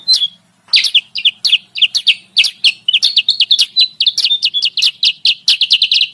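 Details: Sooty-headed bulbul calls used to lure wild bulbuls: after a short pause, a busy run of bright, clipped chirps at a quick uneven pace, with some notes layered over each other.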